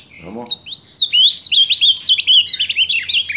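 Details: Ultramarine grosbeak, July 2023, delivering a loud rapid string of high sliding whistles and warbles, preceded by a brief low human voice.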